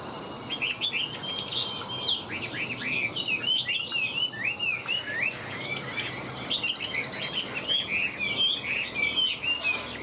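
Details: Chinese hwamei kept in a cage, tail spread and wings flicking, pours out a long, fast stream of bright whistles with rising and falling slurs and short trills, barely pausing over ten seconds.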